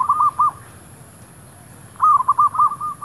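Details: Zebra dove, a decoy to attract wild doves in a shop area, giving loud rapid cooing notes in a rippling run, a short burst and then a longer series of about six notes.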